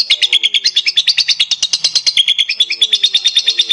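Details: Lovebird in a long, continuous 'gacor' singing bout, used as a prompting recording to get other lovebirds to sing: rapid, high, scratchy chirps repeated about three times a second in an even, unbroken chatter.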